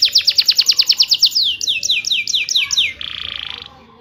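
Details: Canary singing in a rolling style, used to prompt quiet canaries to sing: a fast run of about fourteen bright descending sweeps, then slower downward slurs and a short buzzy trill at the end.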